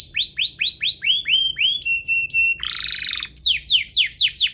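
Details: Canary singing, played to prompt other canaries to sing: a run of upswept whistled notes, a short steady tone repeated, a harsh buzzy roll, then slashing downslurs.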